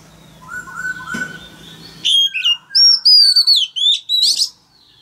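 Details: Male oriental magpie-robin singing loudly to prompt a young bird to open its beak and sing along: after faint low tones, a run of clear high whistled notes, some rising and some falling, in quick separate phrases.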